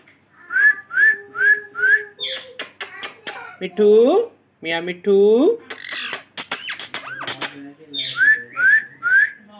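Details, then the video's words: Pet parrot talking indoors: rising whistled chirps in a row, then a burst of rapid clicks and harsh squawk-like speech sounds with warbling mimicked syllables, ending with more rising whistles. "Parrot Talking"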